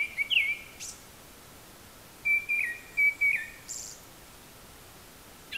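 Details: Japanese thrush singing from high in the trees, said to imitate other birds' calls: a few clear whistled notes, one rising and others short and level, with a faint high buzzy note, separated by gaps over constant background hiss.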